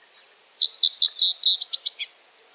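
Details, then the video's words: Common reed bunting (Emberiza schoeniclus) singing: a short phrase of about a dozen high, thin notes lasting roughly one and a half seconds, opening with brief ticks and ending in a quick, slightly descending flourish, against a quiet background. "O canto da Escrevedeira dos caniços ( Emberiza schoeniclus )"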